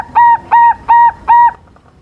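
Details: Four loud, level hollow coos at even spacing from a young silver zebra dove, a lure song meant to make rival doves reply.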